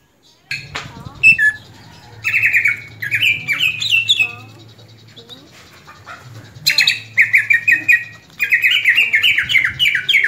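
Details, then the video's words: Kept greater green leafbird (cucak ijo) singing after moulting: long runs of sharp, shrill, rising and falling notes, repeated in dense bursts, with a steady low hum and faint scratchy sounds beneath. "agar cucak ijo rajin berkicau setelah beres mabung"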